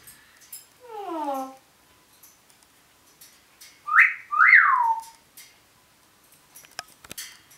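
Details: Pet African grey parrot indoors making noises: a short falling harmonic whistle, then two loud rising-and-falling whistled swoops with clicks and quieter sounds between.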